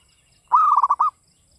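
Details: Single rapid rippling coo from a local Javanese zebra dove, a half-second string of soft pulsed notes at a steady pitch, with faint background hiss.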